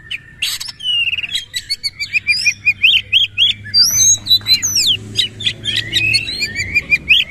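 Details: Oriental magpie-robin (kacer) singing in the fierce 'nembak' shooting style, bowing repeatedly as it sings: a dense run of rapid, high whistled and buzzy notes, some rising and falling sharply, delivered in quick bursts with scarcely a pause.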